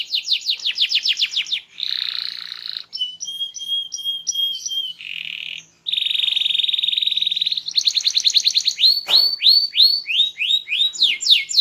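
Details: Small-bodied canary singing loudly and actively with a melodious, varied song: fast descending whistled sweeps, then buzzy sustained rolls, clipped repeated notes, more rolls, and closing downslurred whistles in quick series.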